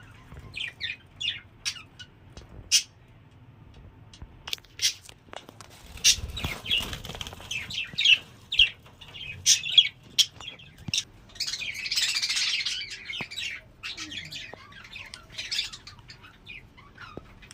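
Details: Budgerigars in a home breeding setup give quick, high chirps and scratchy chatter, with bursts of fluttering wings.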